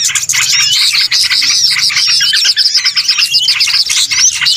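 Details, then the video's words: Bird-trapping lure sound of small birds: thick, nonstop twittering with many voices overlapping into a bright, crowded chatter and a few clear whistled notes. "SUARA PIKAT BURUNG RIBUT"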